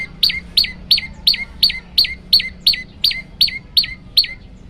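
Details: Master training recording of an olive-backed tailorbird song variation: a dozen bright notes, each dropping sharply from high to middle pitch, delivered at a brisk, fairly even pace over a faint low hum.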